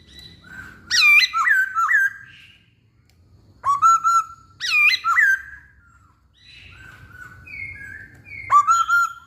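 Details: Masked laughingthrush song used as a lure: loud, clear whistled phrases with sharp upslurred notes and rolling warbles, delivered in bursts separated by short pauses, over faint low background rumble.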